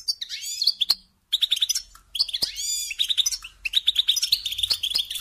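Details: Goldfinch song for training young birds: bright, fast twitter of repeated high chirps and liquid trills. A short silent break comes after the first second, and a sweeping buzzy note appears near the three-second mark.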